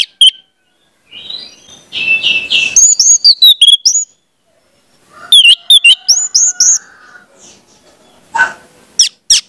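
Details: Orange-headed thrush song played as a lure to get spotted young birds singing; loud, varied bursts of sharp whistled and chattering notes, some slurred, in two dense phrases separated by a pause, then a few scattered high notes.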